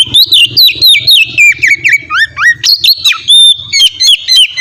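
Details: Oriental magpie-robin in full, varied song, kept as a lure to get other magpie-robins singing: rapid rising and falling whistles, slurred phrases and sharp chips, dense and continuous with short gaps and a faint low hum beneath.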